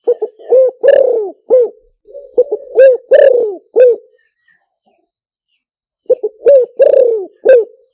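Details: Spotted dove luring call meant for playing through a loudspeaker: loud, low, hollow cooing phrases of several notes, each a short stutter then a long drawn coo falling in pitch, three phrase groups with a pause between.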